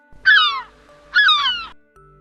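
A gull gives two nasal, harmonic, downslurred cries about a second apart, each lasting half a second, over faint steady background tones.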